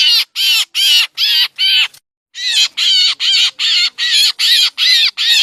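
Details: Lure sound for trapping black drongos, Lao-Thai style: a fast series of harsh, raspy rising-falling calls, about two and a half per second, broken by one brief pause.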